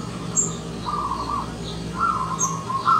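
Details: Local wild zebra dove in morning song, giving rippling, trilled coos in quick succession, the later phrases rising slightly and sounding brighter. A couple of sharp high chirps from another bird and a low background hum.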